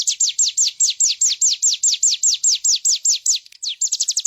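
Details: Bar-winged prinia singing clearly, recorded as a master track for tutoring birds: a steady series of loud, high, downward-slurred notes, about four per second, then a brief pause and a faster closing flurry.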